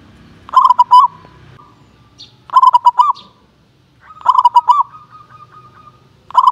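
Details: Competition-class calling from a local zebra dove that often wins contests: three complete staccato cooing phrases with a held closing note, about two seconds apart, a fourth just beginning, soft low noise underneath.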